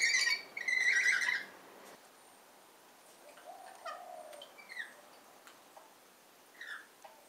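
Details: Rainbow lorikeets in a garden and neighbourhood on the Central Coast, New South Wales, Australia: two loud, harsh, rasping screech bursts open the recording, followed by quieter scattered chirps and a short low whistle against a faint background.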